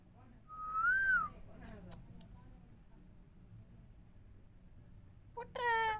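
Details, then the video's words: Indian parrot talking: one clear arched whistle rises and falls, then a quiet gap, then a harsh, buzzy, voice-like call at the end over a low background hum. "Indian parrots talking Mithu Miya Mithu parrots sounds"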